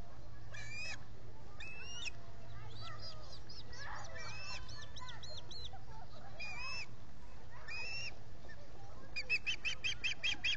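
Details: Osprey at a nest with three birds present, Salt Point in the Finger Lakes, US, July 19, 2021, solar nest camera: bursts of sharp, high chirping calls repeated every second or two over a steady low rumble.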